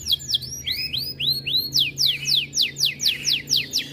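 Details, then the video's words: Canary in breeding condition, turning aggressive when other birds sing, delivers fast high song: arched whistled notes then a run of sharp downslurred notes repeated about twice a second, over a faint low hum. "Kenari Gacor Mental Juara Birahi Tinggi Makin Galak Saat Dengar Burung Lain Bunyi"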